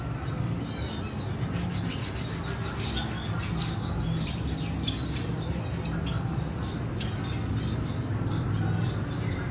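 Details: Red siskin rearing her chick, dated 14 April 2021. Rapid, high, scratchy chirps cluster in bursts, then thin out. A steady low hum is heard throughout.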